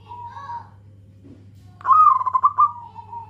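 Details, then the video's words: Local zebra dove calling to companions: a quiet wavering coo, a short pause, then a loud stuttering coo phrase that tails off into softer notes, over a low hum. "Perkutut lokal gacor suara BESAR"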